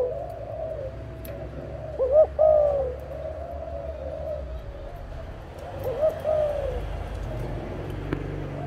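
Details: Dove from a parent pair, giving two short low cooing phrases a few seconds apart, each a quick rising-and-falling hooted note, over a steady low hum and a quiet background.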